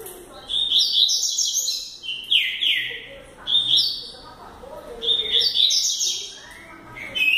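A young double-collared seedeater sings fast, high twittering phrases with buzzy slurred notes, starting a new burst about every two to three seconds.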